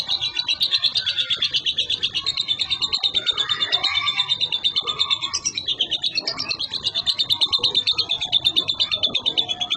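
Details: Konslet-style song of a young captive lovebird kept in Boyolali, Indonesia, bred from parents singing over a minute at a time: a long, nonstop stream of shrill, squeaky twittering with steady rhythmic pulses and lower warbled notes underneath.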